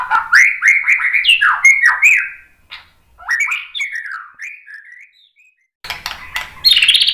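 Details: Rich, varied White-rumped shama song meant to provoke other shamas into singing: loud rising and falling whistled phrases, a quiet gap with softer notes, then a burst of harsh high notes.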